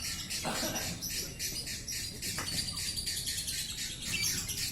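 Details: Lovebird singing in the busy, continuous konslet style: dense runs of high, scratchy chirps and twitters in rapid bursts, with a thin steady tone running underneath.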